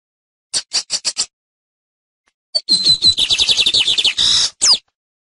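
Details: Lined seedeater teaching song: five quick sharp clicks, a pause, then a thin whistle opening a fast rattling trill of repeated notes ending in a rising slurred note.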